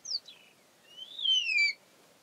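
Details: Young Verreaux's eagle-owl calling its parents in a nearby tree in the African bush near Satara Camp, early morning: a short high descending whistle, then a longer, louder whistled note that rises and then slides down, with a quiet background.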